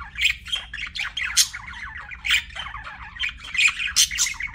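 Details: Loud, close budgerigar chirping: a dense tumble of squeaky, buzzy warbled notes with piercing chirps every second or so.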